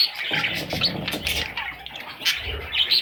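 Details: Parrot babies giving thin, high chirps in quick bursts, some rising and falling, with brief muffled knocks below.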